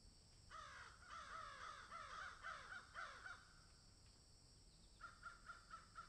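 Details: Crows in a garden with magpies: a fast burst of harsh, bending caws for about three seconds, silence, then a quieter series of short caws.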